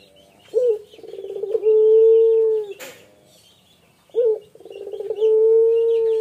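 A male Barbary dove gives two low coos, each a short note, a rolling purr, then a long, steady, drawn-out hoot lasting about a second.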